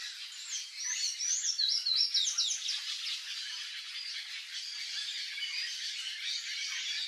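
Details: A Palm tanager (Thraupis palmarum) gives a rapid, high, squeaky twittering song of quick chirps and slurred notes, loudest in the first three seconds, over a hiss of background noise.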